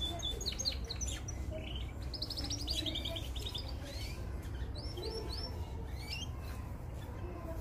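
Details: Mosaic canary song meant for training young canaries: a fast rattling trill followed by separate rising whistled chirps, with other birds chirping and a low hum throughout.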